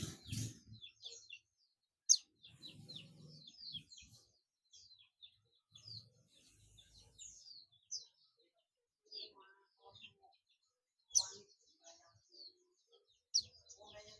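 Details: Oriental white-eye (pleci buxtomi) calling companions in the ngalas style: rapid series of thin, high, sharp chirps and twitters, some rising or falling, delivered in irregular bursts with brief pauses, plus a few soft lower clicks and faint handling noises.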